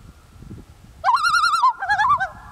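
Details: Two common loons communicating on a lake in Kamloops, British Columbia, Canada, at the end of summer 2013: a steady held tone, then a loud wavering, quavering call with a rising-falling tail.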